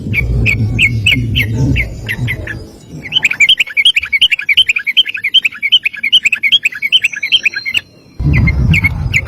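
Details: Sooty-headed bulbul giving a long 'ropel' rapid-fire song, meant as a master for training other birds. Spaced sharp chirps over low background rumble lead into a dense, fast rippling run of notes, then more single chirps.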